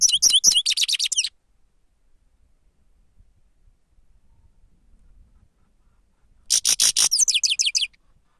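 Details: Grey-crowned goldfinch used as a lure, singing two bright, high-pitched twittering phrases about five seconds apart. Each phrase mixes rapid buzzy pulses with a series of quick descending whistled notes.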